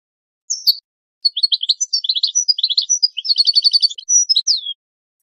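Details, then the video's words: Goldfinch delivering a full song: a few opening chirps, then a continuous flow of tinkling twitters, a fast repeated-note trill, and bright slurred whistles at the close, lasting about three and a half seconds. "Analysis of goldfinch songs and their performance in education"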